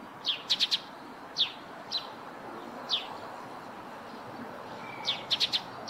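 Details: Eurasian tree sparrow by its nest on a roof: crisp, high chirps in quick triplets, then single notes, then another fast triplet, against quiet background hiss.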